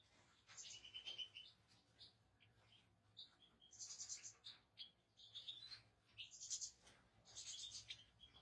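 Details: European goldfinch singing: bright, high twittering phrases in bursts of about a second, with liquid trills and sharp tinkling notes, pausing briefly between phrases.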